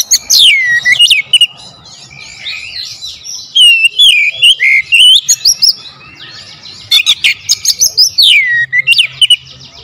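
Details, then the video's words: Kacer, or oriental magpie-robin, singing a powerful lure song: swooping whistles, tangled warbling passages, and fast sharp ticking bursts, repeated in vigorous loud runs. "PANCINGAN KACER POWER JELAS TEMBAKAN PEDAS"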